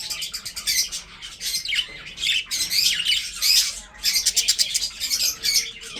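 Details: Caged breeding budgerigars chirping while eating food: continuous busy chatter of overlapping scratchy squawks and chirps from several birds, without pauses.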